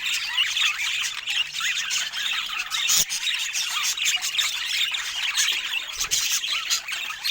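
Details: Several budgerigars, called rare, chattering together; busy high twittering with looping warbled notes and squeaks, a brief louder click near the middle.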